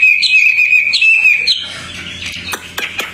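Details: Tame outdoor Hwamei in full song: a loud, high, ringing whistled trill broken by quick upward flicks, then fading into softer chips and short sharp notes.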